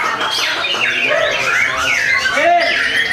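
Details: Captive-bred white-rumped shama from a breeding farm in Tasikmalaya, Indonesia, in a simulated singing contest, delivering loud kretekan song: dense, rapid swooping whistles and rattling notes packed together without pause.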